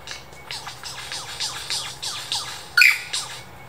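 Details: Mimicking Superb lyrebird in the Dandenong Ranges Botanic Gardens: a fast series of thin descending laser-like zaps, about four per second, then one sudden loud bright double note.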